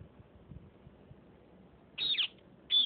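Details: Fighting Sindhi parrots: after quiet low rumbling, two sharp, piercing screeches ring out, the first falling steeply in pitch, the second cut off at the end.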